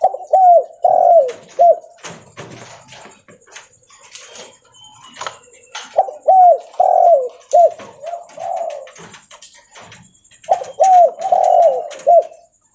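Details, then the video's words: Spotted dove, leopard type, calling as it walks: three bursts of loud, hoarse cooing, each a quick string of arched notes, separated by quieter stretches with faint clicks and scuffs. "Suara Derkuku Leopard Volume Besar Super Gacor Bunyi Sambil Jalan"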